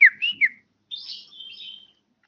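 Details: Bar-winged prinia, one year old, giving three quick slurred whistled notes that dip and rise, then a brief pause and a thin, high, wavering trill that fades out.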